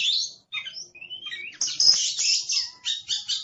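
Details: Aggressive singing of an Oriental magpie-robin, a kept songbird from Indonesia: busy, high chattering notes and rasping bursts, a rising whistled slur mid-phrase, then loud scratchy notes with sharp whistles woven through.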